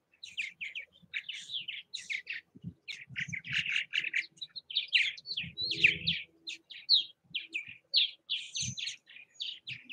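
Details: Purple martins at bird houses in Southwest Missouri, giving a steady stream of gurgling, chattering chirps, rapid and overlapping, with occasional soft low thumps in the background.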